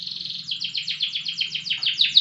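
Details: Prize-winning loper (long-duration) canary singing a fast series of sweeping whistled notes, about eight per second, evenly repeated and growing louder toward the end, with a faint low hum beneath.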